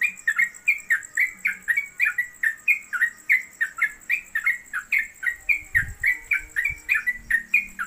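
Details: Caged yellow-vented bulbul, locally trucuk, chattering in a long, fast ropelan stream at home. Even, slurred notes run at roughly four per second with a faint high whine and a brief low thump near the end.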